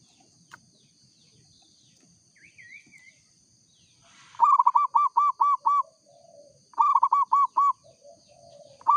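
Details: Local zebra dove (perkutut lokal) singing vigorously: two loud phrases of quick rounded, arched cooing notes, about five per burst, with softer low coos between them and a brief rising whistle from another bird earlier.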